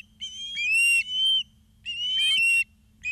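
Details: Osprey at Charlo, Montana, 2 September 2023, 16:03, live camera: two drawn-out, piercing whistled calls, each lasting almost a second and sliding slightly downward, then the start of a third.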